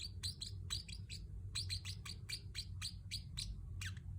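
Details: Pacific parrot chirping to keep a pet bird company: quick high chirps in small clusters and pairs, a few with a falling tail, over a constant low background hum.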